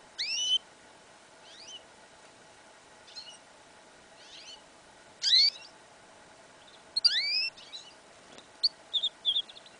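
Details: Yellow isabel goldfinch-canary hybrid singing in a winter field, incomplete song of spaced high twittering chirps and slurred rising notes, ending in a few quick paired tones.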